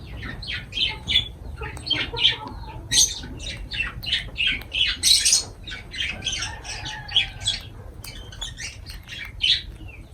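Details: Pet lovebirds feeding, with shrill, harsh squawks and chattering bursts in rapid irregular series, several birds overlapping, with brief pauses between clusters.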